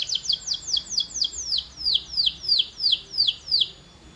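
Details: Canary song used for training birds to sing louder and longer: a steady run of about eleven bright, descending swept notes, roughly three per second, fading at the end.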